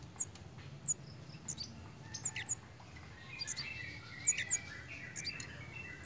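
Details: Pied fantail in breeding condition: thin, high-pitched chips in short bursts, with some softer, lower chattering notes partway through, all over a faint low rumble.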